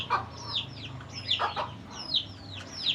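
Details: Mother hen calling her chicks to come and eat, giving short low clucks near the start and middle, while many high, thin, downward-sliding chick peeps repeat throughout.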